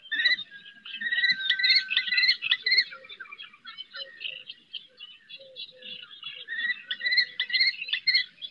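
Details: Common kestrel mother calling from a rooftop to her eldest chick on a perch during its first flight attempts, Riet Vell reserve, Ebro Delta. Dense run of shrill, ringing notes, a short pause near the middle, then the chattering series resumes.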